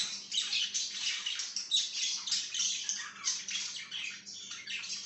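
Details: Pet budgerigar chirping in dense, scratchy bursts of warbled chatter, high and harsh, pulsing roughly every half second with no clear pause, and a faint low hum beneath.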